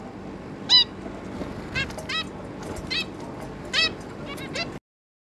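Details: Zebra finches, a pair with their three juvenile young, recorded 11 May 2022: a handful of brief nasal, slightly down-curving calls, some doubled, spaced about a second apart over a soft murmur, then silence.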